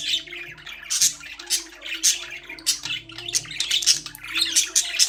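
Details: Pet budgerigars in a cage trade rapid, sharp chirps and scratchy warbles in pulsing bursts roughly every half second, over a soft, low musical background.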